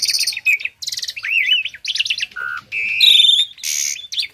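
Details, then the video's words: Loud song of a tame Asian pied starling, packed with borrowed phrases and used to train other songbirds. Dense, bright strophes of warbled slurs, buzzy bursts, a low whistle and a high trill, with barely any pause between them. "Burung Jalak Jinak Isian Nembak || Cocok untuk masteran burung lain langsung nyaut"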